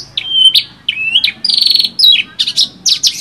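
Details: Horsfield's bush lark (branjangan) song, rich material suited for tutoring other birds: varied, sweet whistled phrases, some long level notes and some rising or falling slurs, with brief high buzzy trills between them.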